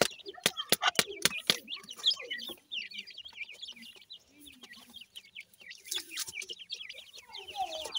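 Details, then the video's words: Dakhni teetar (grey francolin) chicks calling: after a few sharp knocks at the start, a dense run of thin, high, rapidly repeated zigzag peeps carries on with small gaps. Faint scuffling sounds run underneath. "baby cute teetar ki voice,wonderfull dakhni teetar chicks"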